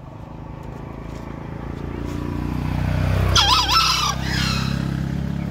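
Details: Over a growing motorcycle drone, a green junglefowl crows once, a brief hoarse call with a wavering, quavering tone lasting under a second.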